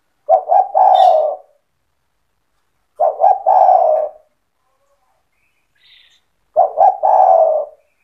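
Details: Spotted dove in full song, a 'cetretan' style, used to provoke other doves into singing: three low cooing phrases about three seconds apart, each two short clipped notes then a long, purring coo.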